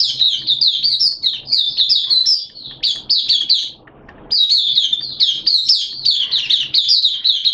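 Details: Mata Puteh (Oriental white-eye) kept as a caged songbird, buka singing on 11 September 2022 in wet, erratic weather: long, continuous, high warbling twitter of quick slurred notes, broken by one brief pause, faint low hum.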